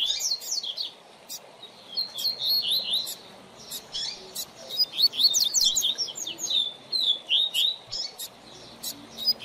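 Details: Caged double-collared seedeater teacher song for learning birds: repeated bursts of high, bright, slurred whistles and twitters, delivered in quick phrases separated by short pauses, with sharp clicks between.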